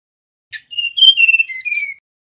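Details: Male mangrove blue flycatcher whistling: a short buzzy note, then a sweet run of clear whistled notes that step down and end on a lower slurred whistle, about one and a half seconds long, with a quiet background.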